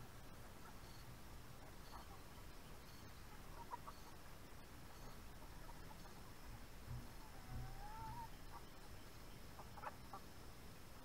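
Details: Backyard hens about four months old eating an early morning rice treat; soft, scattered pecking taps over steady background noise, with one faint drawn-out tonal call rising slightly near the eighth second.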